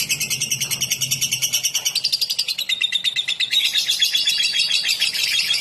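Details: Ngetik trill of a lovebird, used as a lure: a fast, unbroken chattering of shrill ticks that speeds up and climbs slightly in pitch midway, sounding like rapid typing, with a faint low hum early on.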